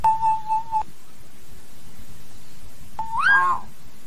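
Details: To call the flock, a common hill myna gives one long, flat, pure whistle and, after a pause, a whistle that swoops upward and then falls, against a low hum.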